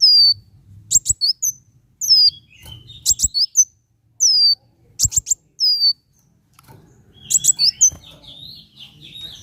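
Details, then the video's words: Van Hasselt's sunbird singing, a recording used to get caged birds singing: clusters of very high sharp ticks alternating with thin descending whistled slurs, repeated about every two seconds, ending in a jumbled twittering phrase. "Suara ampuh kolibri wulung angkat burung bahan jadi gacor!!!"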